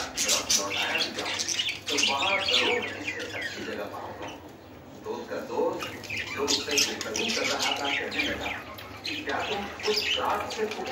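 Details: Budgerigars showing mating signs chatter in a fast, scratchy warble of squawks and chirps as a mating call.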